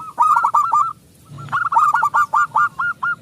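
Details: Wild-type local zebra dove with a loud, vigorous song, used as a lure to make other doves sing: a series of clipped, hooked cooing notes in two bursts, the second running eight or nine notes.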